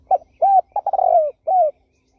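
A turtle dove gives soft, low cooing notes: a quick lead-in, two rounded coos, then a longer rolling coo and one more arched note, with no other sounds.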